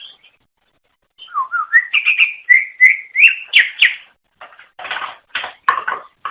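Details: Greater green leafbird, native to Java, Sumatra and Kalimantan, singing to lure its own kind: low rising whistles building into a run of repeated bright notes, then rough broadband chattering bursts.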